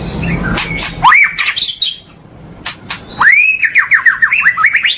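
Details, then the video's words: White-rumped shama (murai batu) training recording for caged birds: a loud, varied string of whistled notes, rising slurs and rapid repeated downslurred whistles, after a brief rough noisy start. "masteran istimewa untuk melatih mental pastol murai part 1 batu"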